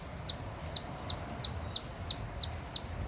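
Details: Hummingbird making evenly spaced, piercing high chips roughly every third of a second, over a constant low rumble of background noise.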